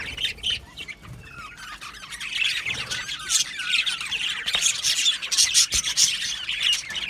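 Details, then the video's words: Budgerigars chattering in an aviary colony: a continuous, busy stream of high, squeaky warbles and chirps that grows louder after the first two seconds, with quick wavering twitters overlapping throughout. "Budgie Chirping Sounds"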